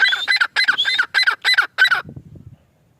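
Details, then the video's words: Male grey francolin calling in quick, harsh, rasping bursts mixed with whistled high notes, about six phrases, ending in faint low rustling. "Teetar ki awaaz | teetar sound | teetar ki boli | male tetar sound"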